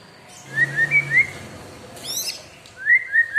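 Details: Captive white-rumped shama, a prolific singer kept with extra care, whistles three clear rising notes, then a high buzzy rattle, then another three-note whistled phrase against a low hum.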